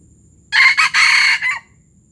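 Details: Near, strong gerabas crow of a Palembang junglefowl: four coarse, buzzy segments, the third drawn out longest, ending abruptly after roughly 1.1 seconds against a quiet background.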